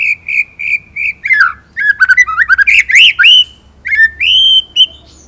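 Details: Shama singing ngerol nembak material: steady repeated whistles, then a tumbling sequence of varied rising and falling slurred whistles and sharp high notes, ending in long clear upslurred whistles.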